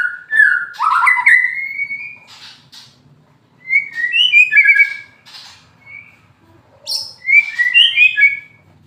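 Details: Moulting white-rumped shama, a fighter-type bird, singing: separated phrases of clear whistled notes, some sliding and warbled, others sharp and high, in bursts with short pauses between.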